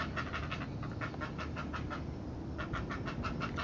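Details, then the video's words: Noisy heron chicks begging while a parent feeds them at the nest: rapid bursts of rhythmic, raspy ticking calls, pausing briefly before resuming, over constant low background rumble. "Feeding noisy heron chicks"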